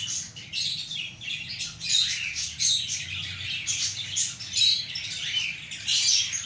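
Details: A baby budgerigar whose parents have stopped feeding it, and which is getting weak, begs with high, raspy chirps tumbling over one another without pause.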